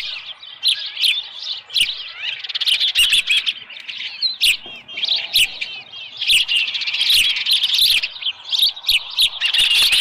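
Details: Osprey at its nest on 24 July 2018 around 6:52 in the morning, with a headless fish present; dense series of high, sharp whistled chirps, rapidly repeated in bursts with short pauses, several voices overlapping at times.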